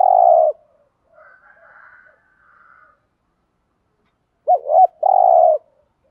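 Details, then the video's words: Cooing of a spotted dove of the local field type, used to provoke wild males. A low rolling purr is followed by a faint soft higher warble, then a looping double note and another long purr. "tiếng cu gáy thổ đồng thúc gù bài bản/ dùng kích bổi hiệu quả, gây ức chế cho cu gáy bổi rất cao"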